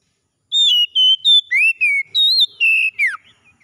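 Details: An Oriental magpie-robin sings one bright whistled phrase in the morning: short level notes, then a rising slur, a higher wavering whistle, and a final plunging note, against silence.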